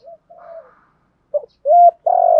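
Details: Spotted dove 'thúc gù' cooing used to lure wild doves: soft, low coos at first, then a sharp short note, a rising coo and a long sustained coo cut off at the end.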